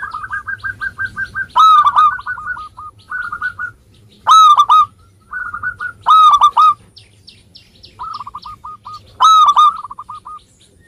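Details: A local zebra dove in vigorous song, used to coax lazy birds into singing: loud ringing triple coos about every two to three seconds, each answered by runs of soft quick staccato notes.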